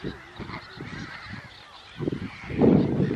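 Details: Glossy ibis making soft low grunts that build into a louder, rasping croak near the end, with a constant wash of higher chattering birds in the background.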